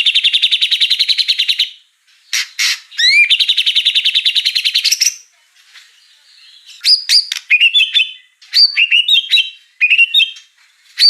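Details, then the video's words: White-rumped shama performing full song with mimicked fill-in phrases: a rapid buzzy trill, clipped bursts, a second trill, then a varied run of high whistled, upward-flicking notes and chips. "murai batu ful isian"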